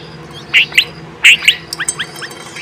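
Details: Adult bulbul feeding and calling her twin chicks; a few sharp, bright chirps in two close pairs, then a quick run of softer short notes, with a faint steady hum underneath.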